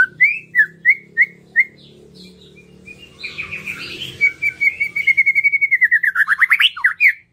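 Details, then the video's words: A White-rumped shama sings five clear, rising whistles, then a rich warbled phrase ending in a fast run of rapid chattering notes, over a low hum; used as a lure to get reluctant birds singing. "PANCINGAN MURAI BATU MERANGSANG BURUNG YANG SUSAH BUNYI LANGSUNG IKUT BONGKAR ISIAN"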